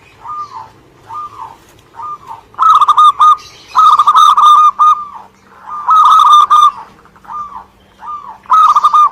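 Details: Vigorous song of local Indonesian zebra doves: loud runs of fast, clipped coos alternate with softer, rounded single coos repeated about twice a second, suggesting two birds calling together.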